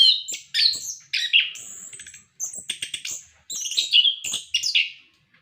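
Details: Caged orange-headed thrush singing loudly, a recording meant to prompt other captive birds: quick strings of high whistles and scratchy warbles in three bursts separated by brief pauses, with dry clicks.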